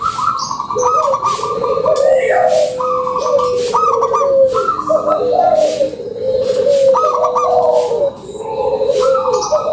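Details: Several local zebra doves cooing as a lure call, rapid rhythmic series of short higher coos alternating with longer low mellow notes, continuous overlapping song over background hiss.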